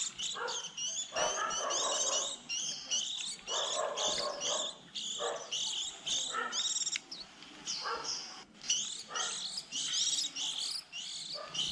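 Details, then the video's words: Several juvenile white-eyes calling early in the season, a lure recording for trapping: fast, high, tinny chirps and trills packed together, with short breaks and some lower buzzy notes underneath. "Tiếng khuyên non đầu mùa 2020"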